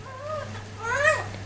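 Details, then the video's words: Talking pet parrot, said to be spotting a 747 aeroplane, gives two short voice-like phrases: a low arched tone, then a louder rising-falling one with stacked overtones. No other sounds. "THE SMARTEST TALKING PARROT 747 AEROPLANE SPOTTING"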